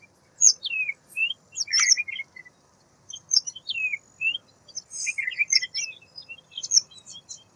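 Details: A white wagtail pours out high chips, swooping slurs and buzzy notes in clustered bursts separated by brief gaps, in a quiet setting.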